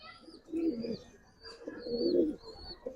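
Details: Two rolling, low-pitched coo phrases from Giribaz pigeons, each swelling and fading, separated by a quiet pause with faint high chirps.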